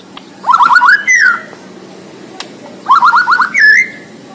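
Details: Borneo white-rumped shama (murai batu) in full song: two bursts of rapid rising whistled notes near 1–2k, each ending in a higher sustained whistle, separated by a quiet gap.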